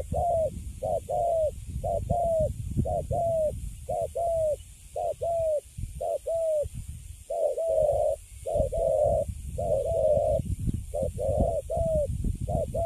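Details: Spotted dove, a young Cấn Sấm bird kept in a cage after being caught, cooing persistently: quick paired hoots, a short note then a slightly falling longer one, repeated steadily for many phrases over soft low noise.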